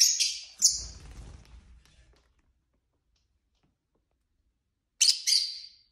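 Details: Domestic lovebirds, part of a group of five kept as pets: two sharp, high squeaky chirps at the start, a low thump beneath, then silence before a final pair of shrill chirps.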